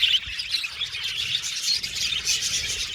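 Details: Happy budgerigars kept in an aviary colony chirp and warble together, a steady busy mix of high twittering notes and short squeaky calls with no pauses.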